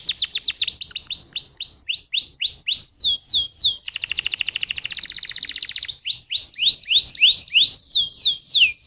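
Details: Canary lure song (pancingan) meant to make other canaries sing: rapid runs of bright, downward-sweeping notes, a dense buzzy trill in the middle, then fast repeated rising chirps.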